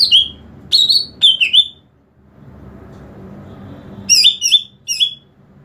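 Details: A greater green leafbird call used to lure and provoke other leafbirds: loud, sharp whistled phrases with quick downslurred notes in two bursts separated by a pause, over a faint low background hum.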